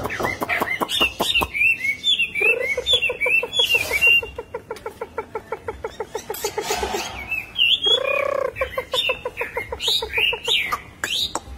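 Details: Chinese hwamei with puffed-out belly singing in the 'khiển khách' style: loud varied phrases of upward-slurred whistles, then long runs of rapid repeated low chattering notes, and a rich rolling burst near the end.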